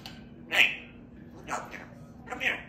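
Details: African grey parrot throwing a fit indoors and mimicking speech, "You a grumpy bird". Three short, bright, voice-like bursts come about a second apart, the first and last loudest.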